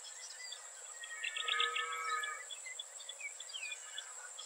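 Striated grassbird giving a brief burst of rich, warbled notes, followed by scattered short chirps, over a steady high insect drone.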